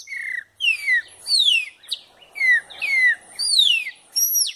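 A chopi blackbird sings loud, clear whistled notes that slur sharply downward, with some buzzy accents, in quick phrases about twice a second.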